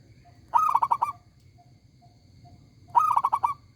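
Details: Local zebra dove with a loud, ringing song: two bubbling cooing phrases of quick pulsed notes about two and a half seconds apart, soft low hum in the gaps.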